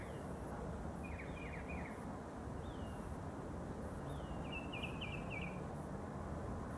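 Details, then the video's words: Early-morning mockingbird singing from a tree roughly 50 yards off: faint distant song of short swooping notes, then a quick run of four or five repeated slurred notes, set against constant low background rumble and a thin high tone. "Song of the Mockingbird"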